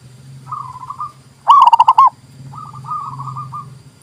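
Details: Zebra dove song, used to stimulate mute doves and lure birds: soft trilled cooing phrases, then one loud, fast-pulsed purring coo, followed by quieter trills, with a low hum underneath.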